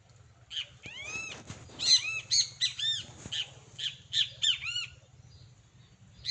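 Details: A pair of great kiskadees in the wild gives harsh, squawky arched notes, one after another in quick bursts, some rising then falling, over a low steady hum in the background.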